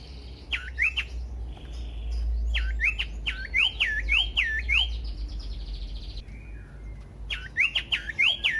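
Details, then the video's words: Common iora song played to provoke other ioras into singing: repeated bursts of clear, up-and-down whistled notes in quick series, with short pauses between phrases and a low rumbling background. "pancingan burung sirtu cipoh AMPUH bikin GACOR dan EMOSI"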